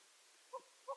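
Gambel's quail giving two brief, nasal, mid-pitched notes about a third of a second apart over a soft background hiss.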